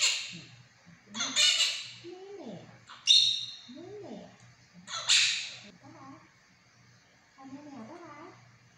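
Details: Monk parakeet speaking mimicked words, with loud raspy broadband squawk-like syllables about every two seconds, between softer, lower, curved talking notes and pauses.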